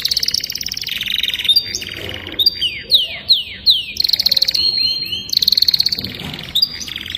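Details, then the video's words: Singing young canary: a buzzy high trill opens, followed by a string of four falling slurred whistles, then a long rapid rolling tour and further sharp trilled bursts. "Chant canari jeune magnifique"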